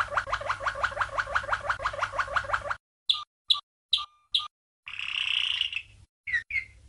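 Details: Champion Malinois canary from 1997 in a training song: an even, rapid rolling tour of pulsed notes, followed by short separate chirps with pauses, a soft rough burst and closing sharp notes.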